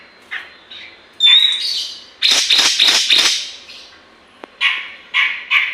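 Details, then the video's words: Grey-cheeked bulbul singing energetically, used as a lure to stimulate other birds. A clear whistled note gives way to a run of loud, harsh, rapid bursts, then shorter chattering phrases after a pause. "BURUNG CUCAK JENGGOT GACOR COCOK UNTUK PANCINGAN"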